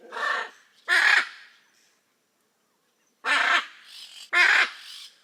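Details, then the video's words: Hyacinth macaw from Brazil's Pantanal giving harsh, croaking screeches: a pair of calls, a two-second silence, then two more rough squawks in quick succession. "The raucous sounds of Hyacinth macaws"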